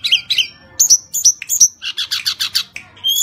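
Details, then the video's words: A captive Sunda robin (mountain form) sings high, clear whistles, then a fast run of bright, sweeping, chattery notes, about six a second, with no other sounds intruding. "Burung Tledekan gunung gacor NYENGKLAK"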